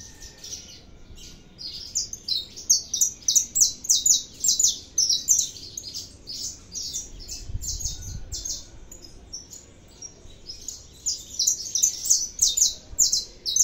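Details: Saffron finch in extended song: long runs of rapid, sharp high-pitched chips and buzzy notes in clustered bursts, a brief pause midway with a soft low thump, then the fast chattering resumes.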